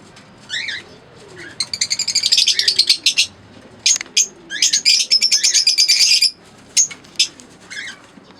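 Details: Green Fischer's lovebird pair: a few sharp chirps, then long rapid runs of shrill ticking chatter, roughly three notes per second, with a quiet final pause.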